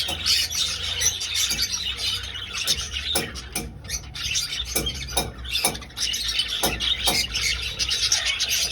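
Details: Budgerigars in flight in an old aviary used for breeding. Dense high chatter and chirps from many birds, punctuated by sharp clicks or taps, with a brief lull near six seconds.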